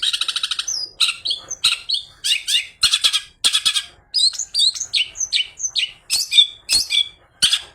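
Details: Long-tailed shrike in full song, its fill of borrowed calls such as fighting sparrow chatter played to draw other shrikes into singing: a rapid pulsed trill opens, then a mix of hoarse rasps and quick rising and falling whistled slurs.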